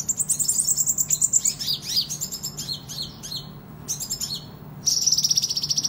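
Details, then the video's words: Sunbird singing busily in captivity as a tutor bird: a high, thin trilled run, then jumbled squeaky twitters and a final sustained buzzy high trill. "Kolibri Ninja Gacor Ngadu Bisa Buat Masteran"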